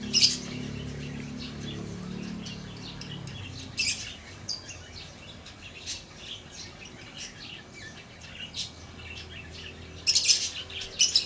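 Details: Lovebird chirping: a run of sharp, high, scratchy chirps of varied loudness, loud harsh bursts near the start, middle and end, and a low rumbling hum in the first few seconds.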